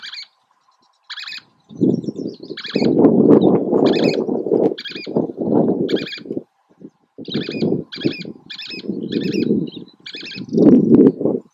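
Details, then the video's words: Least tern at Oso Flaco on May 31, 2019: harsh, buzzy, layered calls repeated in quick bursts of two or three notes, often under a second apart, over heavy low rumbling wind-like noise. "Least Tern, Oso Flaco"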